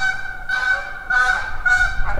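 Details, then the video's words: Canada geese heard while camping in a parked school bus beside a school bus lot: three loud, nasal, evenly pitched honks in quick succession, each about half a second long. "Please hold for the canada gooses."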